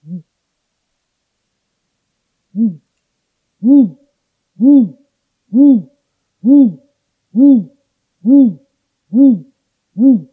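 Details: Great grey owl song: a series of deep, evenly spaced hoots, each rising then falling, repeated roughly every second after two quieter opening notes, with no other sounds.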